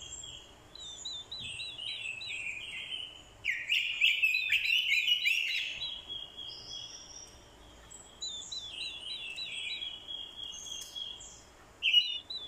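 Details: Lure Orange-headed thrush in fighting song, with female calls to spur a male; clear whistled phrases and fast warbled trills, a loud dense scratchy burst mid-clip, then more rippling runs and a sharp final note.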